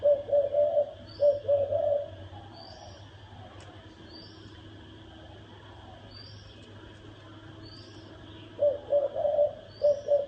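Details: Spotted dove cooing in the thổ đồng style to provoke males and wild birds to fight: quick coo runs open and close the recording, and the long quiet middle holds only faint high chirps and a steady hum.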